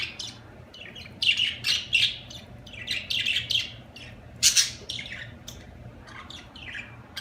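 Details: Budgie chirping: runs of bright, buzzy chirps and warbled notes in bursts, one loud sharp squawk midway, steady low hum in the background.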